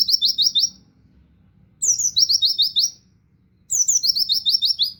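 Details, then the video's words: Oriental white-eye 'tembakan wit wit kenari' song used as a master for songbird training. Three very high, clean phrases, each a descending opening note into five or six rapid, evenly spaced chirps, separated by near-silent gaps of about a second. "pleci tembakan wit wit kenari cocok buat masteran"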